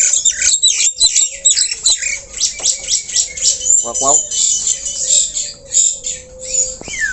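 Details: Javan myna with white eyes, singing busily even while perched low: dense scratchy chatter and squawks, a quick rattling burst near the middle, and a faint steady tone running underneath.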